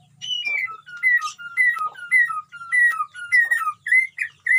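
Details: White-rumped shama singing vigorously in a colony cage: clear whistled phrases alternating a higher and a lower note, repeated in a steady, bouncing rhythm.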